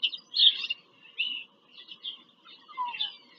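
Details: Bald eagle at a nest in rural Pennsylvania, recorded from a live nest cam on 5 February 2023 during a visit; sharp, high squealing chips in uneven bursts, then a lower slurred note near the end, over a soft hum.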